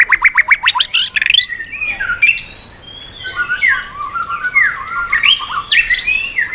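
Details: White-rumped shama singing to provoke other birds: a fast series of rising clicks, then a varied run of whistled, slurred and chattering phrases in a mid-to-high register, with sharp notes scattered through.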